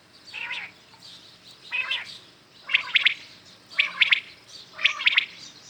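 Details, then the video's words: Morning calling of common quails. Two softer, husky calls open, then crisp triple-noted phrases repeat roughly every second. "Today common quails calling"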